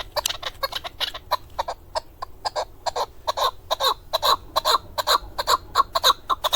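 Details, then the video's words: Steady repeated chuk notes, some doubled, from a male chukar partridge kept for hunting in Darvoz, Tajikistan, in 2020, roughly two to three per second and swelling slightly in loudness. "Садои Нар Кабки Шикории н. Дарвоз 2020. Голос птиц как поёт горная Куропатка (Кеклик) Keklik in Tjk"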